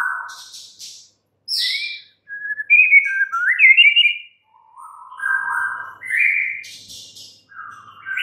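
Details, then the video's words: White-rumped shama singing a varied string of clear whistled phrases, some rising and some falling, each different in pitch, separated by short pauses, with a few buzzy high notes between. "murai batu BISU, STRES, MACET TOTAL bakalan NYAUT GACOR dan Kembali FIGHTER"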